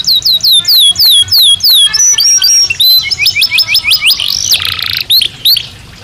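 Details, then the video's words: Belgian canary singing naturally, loud and close: repeated downward-slurred whistles, then varied rising and falling notes and a harsh buzzy burst before a few last slurs. "Canario Belga Cantando Naturalmente"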